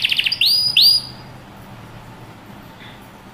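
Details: Canary training song: a brief rapid trill, then two loud, pure whistled notes sweeping upward, followed by near-silence and a faint short note.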